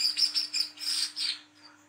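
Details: Olive-backed sunbird singing 'ngriwik' at night, a lure recording for young birds: a quick string of thin, high twittering chirps that rise and fall, fading out after under two seconds, with faint hum.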